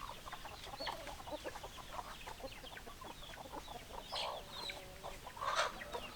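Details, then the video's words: Chicken flock with hens clucking: steady overlapping short clucks, a few louder drawn-out squawks near the end, a busy farmyard chorus. "Chicken Sounds Noises Hens Clucking Roosters Crowing"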